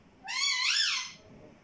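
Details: Parrot (tota) talking, saying "mittu": one drawn-out, harmonic-rich syllable lasting under a second that rises, then falls, in an otherwise quiet setting.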